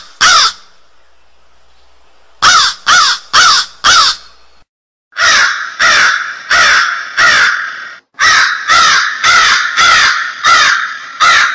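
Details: Crow giving bursts of harsh, rasping caws: a single call, then a quick run of four, followed by two longer series of rapid, evenly repeated caws with little pause between them.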